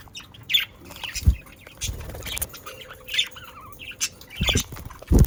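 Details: Australian parakeets kept as pets chirp irregularly, the short scratchy calls mixed with dull thumps and rustling, perhaps movement or wingbeats, including a brief twittering run in the middle.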